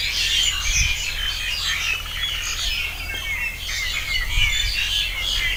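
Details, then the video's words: Dawn-chorus-like mass of birds singing on an organic farm kept free of chemicals for a year, recorded 22 February 2021. Many overlapping high chirps and twitters blend with steady outdoor noise and low thumps. "Birds Singing"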